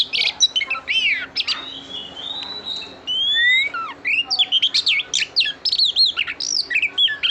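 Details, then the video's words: Oriental magpie-robin female calling to excite the male, with a rich, varied run of loud whistles, sweeping rising and falling notes, harsh chirps and a long level whistle, nearly continuous throughout. "Tiếng chòe than mái kích Trống"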